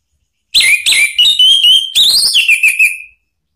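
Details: Orange-headed thrush song used as a lure to provoke another bird into singing: a loud run of whistled notes, sliding and wavering, some rising then falling, with short breaks between phrases and no other sounds.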